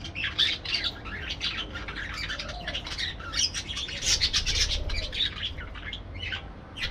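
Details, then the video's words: Parakeets in an aviary: a dense, continuous chorus of shrill chirps and harsh squawks overlapping throughout, with louder bursts near the middle and a steady low rumble underneath. "parakeet sounds"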